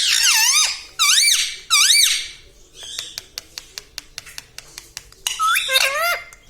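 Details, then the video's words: Pet talking parrot, a tota taught to say "papa mummy". Three loud, warbling, harmonic squawks open the clip, then a string of sharp clicks and taps, and finally a rising, screechy call that bends down at the end. "Papa Mummy Bolne Wala Tota - Talking Parrot - Me Tota Me Tota"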